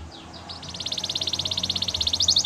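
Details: Gloster canary singing: after a faint opening, a rapid, even trill of high repeated notes builds steadily louder, climbing higher in pitch toward the end.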